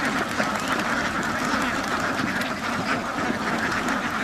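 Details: Crowd of ducks on a duck farm, constant noisy quacking from many birds, individual calls blurring into one steady rough chorus.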